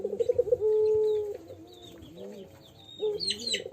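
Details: A young Pelung dove learning to call, giving a crying sound: a few quick low pulsed notes, then a sustained low even coo, wavering murmurs, and a short higher burst near the end, with some background noise.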